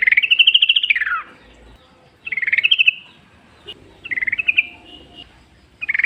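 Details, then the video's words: {'caption': 'Bulbul of the sooty-headed kind singing outdoors, a lure for others: a long falling pulsed trill followed by shorter stuttering trills, with faint low background noise.'} "trucuk gacor ngalas full suara alam"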